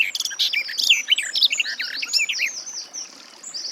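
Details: Sustained fast warbling from a garden warbler, dense tumbling notes with high thin whistles running through, continuing steadily to the end.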